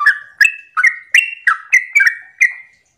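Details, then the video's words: Yellow-vented bulbul singing a rapid 'ropel' song in the morning, used as a lure to make other bulbuls answer; eight short, bright chirped notes with a bubbly quality, each dropping slightly in pitch, about three per second. "Pancingan trucukan gacor ropel pagi hari trucukmu pasti langsung nyaut"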